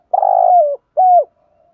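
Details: A single spotted dove phrase meant to excite wild doves: a long, buzzy, rolled coo that slides downward, then a clear, shorter coo that also drops at the end.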